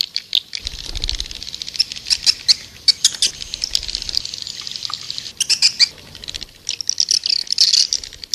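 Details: Lure call of white-nest swiftlets meant to draw birds in: a busy chorus of high, scratchy twittering chirps and sharp clicks, pulsing in bursts with brief gaps.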